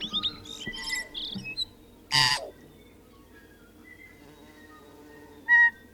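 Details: Tui in New Zealand sings a varied, halting phrase of clicks, short whistles and bell-like notes, broken by a harsh wheezy rasp, with quiet pauses between bursts.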